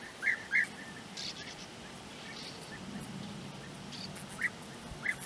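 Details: European bee-eater near its nest burrows in flat open country at Puszta Eldorado gives short, liquid, rolling notes, a quick pair at the start and two more near the end, over a steady low hiss.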